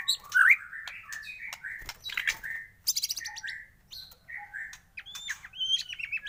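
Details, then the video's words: Morning white-rumped shama lure song: varied drawn-out whistles and slurred notes, broken by sharp clicks and a buzzy chattering burst, ending with high thin whistles. "pANCINGAN masteran pagi agar MURAI BATU gacor!!!"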